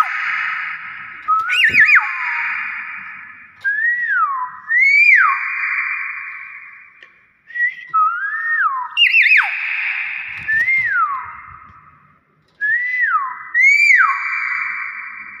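A common hill myna gives loud, clear whistles that swoop up and down, repeated every second or two with a few harsh rasping notes between them.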